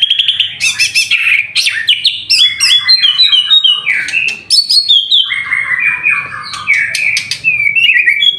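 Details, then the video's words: A white-rumped shama bathes in the afternoon and sings continuously. The loud, rich song is a rapid flow of varied whistles, chattering trills and quick slides with almost no pause. "BURUNG MURAI BATU GACOR MANDI SORE HARI"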